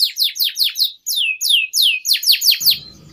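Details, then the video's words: Canary singing a long continuous song used as a training model for young birds, made of repeated downward-sweeping whistled notes in quick series, ending with brief low background noise. "PANCINGAN Suara Burung KENARI Gacor Panjang || Masteran KENARI Paud"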